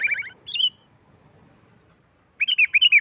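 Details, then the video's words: Sooty-headed bulbul song in 'nggaruda tarung' style used as a lure: a quick bubbling phrase and a whistled note, a pause, then a run of five loud, clipped, rolling notes. "Suara Burung Kutilang Gacor NGGARUDA TARUNG ini sangat Cepat memancing Kutilang LAIN Gacor...!!!"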